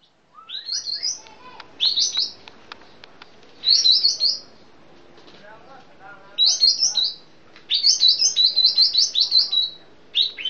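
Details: Sooty-headed bulbul from Sumatra singing bright, high, stepped phrases of three to five quick notes, each phrase under a second, about six bursts separated by short pauses, with faint clicks and softer lower notes between.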